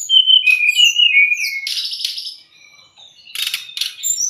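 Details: White-rumped shama training and lure song meant for young or stressed birds. A flowing whistled phrase drops in pitch, then come buzzy chattering bursts, a quiet pause and two more harsh rasping notes.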